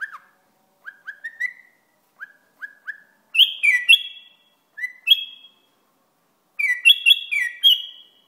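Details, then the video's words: Bulbul from Iraq: soft rising whistled notes in short series, then louder fluty warbled phrases with downward slides, repeated several times with gaps in a quiet setting. "بلبل عراقي"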